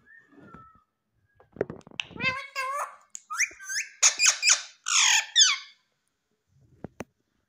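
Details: Female Indian ringneck parakeet kept as a pet indoors, talking in Hindi and saying "mummy": a run of shrill, harmonic, speech-like syllables with rising and falling inflections, packed into about four seconds, then a soft click.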